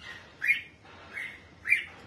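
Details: Red-whiskered bulbul in captivity, bathed and sunned by its keeper, gives three clear, rising whistled notes about every 0.6 seconds.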